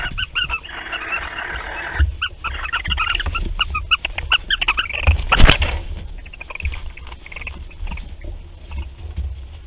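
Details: Barn owls at Théding on 28 February 2021, at the start of courtship: a busy run of short chirping and twittering notes, some slightly curved, with a brief louder burst near the middle over a steady low rumble.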